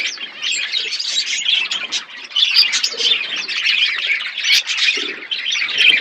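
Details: A colony of budgies chirping at once, a steady high chatter of short warbles and squeaky notes layered over one another throughout.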